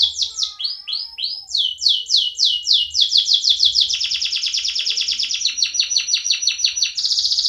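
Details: Canary singing from its cage: fast sweeping down-slurred notes accelerating into a rapid rolling trill, ending with a higher buzzy phrase.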